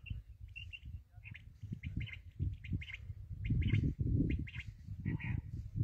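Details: Black francolin (kala teetar) repeating harsh, scratchy, chattering phrases in quick succession over heavy low rumbling noise.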